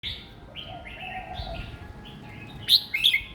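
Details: Young caged red-whiskered bulbul singing a simple song style suited for other young birds to copy; a string of short whistled, slurred notes, ending with louder bright chirpy phrases, over a faint steady low hum.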